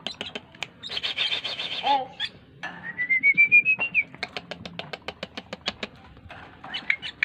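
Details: Tame Asian pied starling singing: a harsh buzzy burst, then a long clear whistle rising gradually, followed by a quick even run of sharp clicking chips and a final scratchy phrase.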